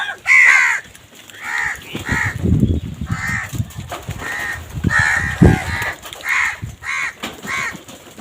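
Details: Crows competing for food call with a series of harsh caws, one loud caw first and then steady repeated caws about every half second, over low knocking sounds.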